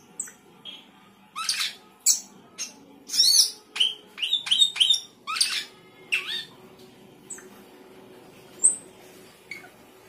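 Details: Sooty-headed bulbul singing vigorously with isian fill-in phrases: harsh, squawky, buzzy bursts in irregular clusters, some rapid doubled notes, then a lone thin high whistle near the end; faint background hum.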